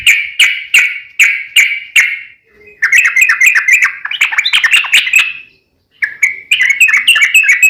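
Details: A yellow-vented bulbul sings a long rapid 'ropel panjang' song meant to prompt other bulbuls to respond. About six evenly spaced loud chirps open, then a fast, bubbly, tumbling chatter and a final run of warbled notes.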